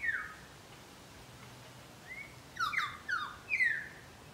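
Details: Pied currawongs in a Brisbane garden: one falling whistle at the start, then after a pause a rising note and three loud descending ringing calls.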